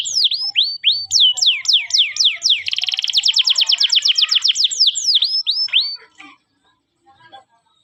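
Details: Canary singing a chirping training song meant for tutoring young canaries: rapid repeated sweeping whistles, then a fast buzzy trill of even notes, ending with a few more sweeping notes before fading to quiet.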